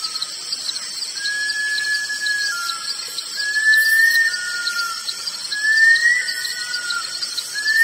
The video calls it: Bush Stone Curlew